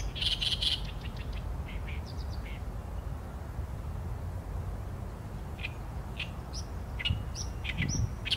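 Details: Oriental reed warbler singing: a loud burst of harsh, grating notes opens, then scattered chattering phrases and a quick run of rasping syllables near the end, over a steady low rumble of background noise.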